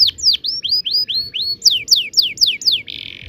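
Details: Canary in ngerol rolling song used as a learning model for young canaries: evenly spaced rising slurred whistles, then steeper falling notes, finishing with a brief buzzy rasp.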